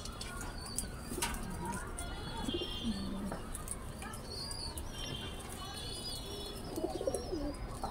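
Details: Pigeons kept on a home rooftop cooing in low, rolling, throaty notes scattered through the recording, while small birds twitter with high, thin chirps and whistles overhead against a constant low rumble.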